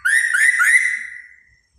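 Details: Short whistled phrase from a dancing laughingthrush, with three quick rising slurs that merge into a fading level whistle.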